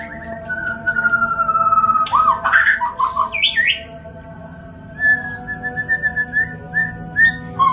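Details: White-rumped shamas from Borneo, Indonesia, in a fight. A long level whistle, then a brief burst of twisting notes, then soft repeated whistled notes spaced about half a second apart over a steady background hum.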